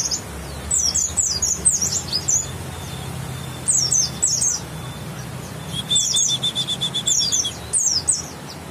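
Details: Bukstoni white-eye from West Java, grey-white breast with a yellow line, singing clusters of high sharp chirps separated by pauses, with a faint thin whistle held under some phrases.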